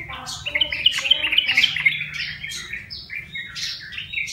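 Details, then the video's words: Caged yellow-vented bulbul, caught wild and kept one month, now singing: busy chattering phrases of bright, bubbly chirps, about four notes a second, with a steady low hum underneath. "Burung Trucukan (Jogjog) Liar Yang Dirawat 1bulan Udah Bersuara"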